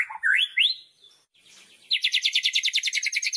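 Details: Murai batu, the white-rumped shama, in loud kretekan song meant to rouse rival birds: two swooping whistled phrases, a short pause, then a rapid high rattling trill.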